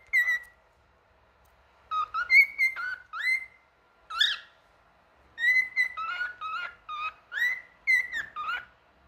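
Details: Male cockatiel singing: clear whistled notes in short bursts, some rising and some falling, grouped into phrases with brief pauses between them, against a quiet background.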